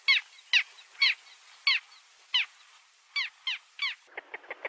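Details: Gulls calling: loud harmonic, downward-curving squawks repeated about every half second, eight in a row, followed by a quick run of four shorter, lower clipped notes.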